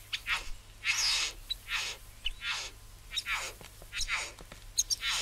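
Satin Bowerbird giving harsh, breathy rasps and hissing downward sweeps, about ten in five seconds, with a few sharp clicks between them.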